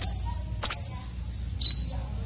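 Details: Red-breasted konin with a rough, sharp filler song for tutoring contest birds. Two shrill, buzzy high notes are followed by one clean, slightly lower whistle, with quiet pauses between them.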